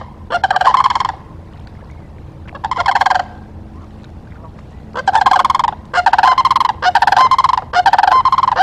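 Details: Nesting Ospreys in Charlo, Montana, recorded by a live camera on 17 October 2023, afternoon; repeated bursts of quick, harsh whistled chirps, two separated phrases then four bursts in close succession, each under a second long.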